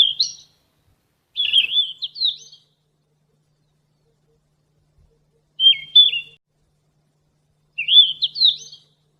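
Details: Yellow-rumped flycatcher, played as a vocal model for captive songbirds: four separate high twittering phrases, sharp whistled notes with quick up-and-down turns, separated by long pauses of clean silence.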